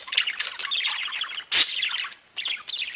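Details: Budgerigars singing and tweeting in a group, giving rapid chattering warbles of short squeaky chirps, broken by one loud harsh squawk-like burst in the middle, then more lively chatter.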